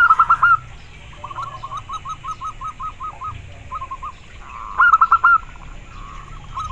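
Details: Soft trilling coos of a local zebra dove, a louder purring phrase at the start and again near five seconds, with quieter evenly spaced coo notes between, over low hum.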